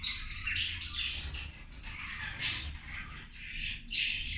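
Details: Zebra finches eating their lunch, nasal buzzy calls tumbling over one another with one thin high squeal midway, steady low hum underneath.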